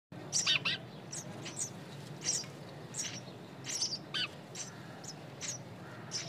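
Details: Nestling birds calling with thin, high chirps in short bursts, some doubled, scattered irregularly over a low steady background hum.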